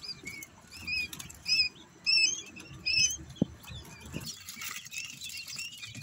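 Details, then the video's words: Quail chicks warming up: short bursts of high, thin peeps with a sharp upward sweep, several grouped calls in the first three seconds, then soft rustling and scratching as the chicks move about. "quail chicks warming up"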